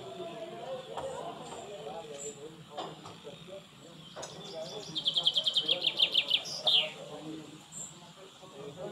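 Spotted Flycatcher giving a quick run of about ten thin, high, squeaky notes over two seconds, ending on a sharper higher note, over faint background hiss.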